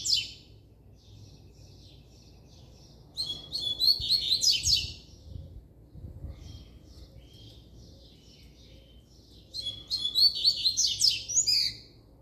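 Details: Double-collared seedeater singing firmly: two fast, high twittering phrases of rising and falling whistled and buzzy notes, about six seconds apart, with faint soft chips in between over a low background hum.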